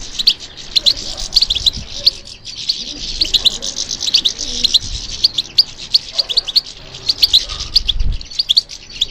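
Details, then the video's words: Singing European goldfinch, responding to stimulation, delivers long runs of fast, high, tinkling twitters and chirps almost without pause, over a faint low rumble. "How to encourage the goldfinch to respond to stimulation"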